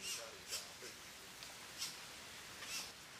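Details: Three Red-bellied Grackle chicks in a nest being fed, La Romera reserve, Sabaneta, Antioquia, Colombia, 2012, give five short, harsh, hissing begging notes at irregular intervals over about three seconds above quiet background hiss.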